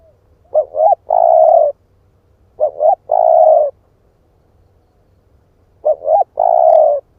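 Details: Lure spotted dove of split-breast type, cooing to provoke wild birds. Three phrases, each a pair of short upturned notes leading into a long level coo, with gaps of one to two seconds.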